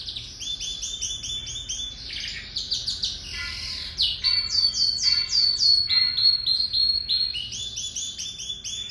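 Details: Lizard canary singing a long, continuous song of rapid trills and rolling tours, shifting between buzzy and clear whistled phrases, with repeated notes fused into rattles and a steady background hiss.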